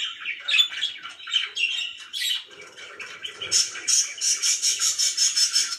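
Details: Pet budgerigars heard as very happy, giving dense rapid chirps and squawky warbles, then a fast run of buzzy repeated notes, several birds overlapping.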